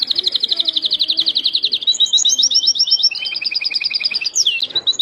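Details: Canary delivering a long stream of fast trills, shifting from a dense high rattle to choppier notes with a lower rolling trill, ending in a sharp descending swoop and renewed chirps.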